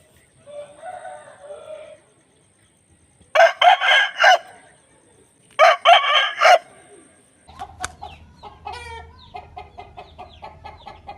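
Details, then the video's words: Aseel rooster crowing: two loud, harsh, broken crows in a row, each about a second long with stuttering segments. Softer calls come before them, and a busy run of chirps and clucks with a low hum follows. "Aseel Roosters Crowing"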